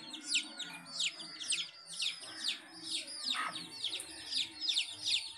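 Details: Chicks beside a domestic hen give rapid high falling peeps, several each second, with one brief lower cluck in the middle.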